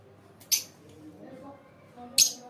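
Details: Pet lovebird giving two short, sharp high chirps about one and a half seconds apart, with a quiet room in between.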